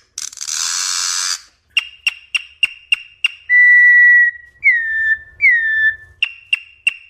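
A Campo troupial opens with a harsh rasping burst, then gives quick clipped notes and long, clear, slightly falling whistles, alternating over several seconds.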